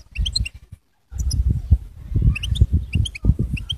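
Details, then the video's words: Goldfinch singing: short groups of bright, high chirps rising and falling, coming in bursts every second or so, over heavy low thumping and rumbling noise with a brief silent gap. "Bestest Goldfinch singing"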